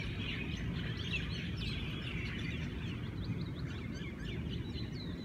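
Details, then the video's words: Many Hawaiian birds singing together on a lovely morning, a dense chorus of overlapping short chirps, trills and rising whistles, sustained throughout, over a steady low rumble of background noise. "Hawaiian Birds: Paradise Lost (Twilight)"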